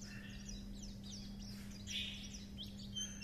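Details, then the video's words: Fast, high chattering from a Japanese white-eye, quick thin slurred chirps running in a jumbled sequence, slightly fainter and partly masked by a constant low humming tone. "Âm thanh Khuyên líu chuyện"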